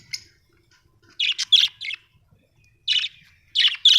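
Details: Happy budgerigar chirping in short bursts of bright, buzzy notes, several quick chirps grouped together with brief silent gaps between clusters.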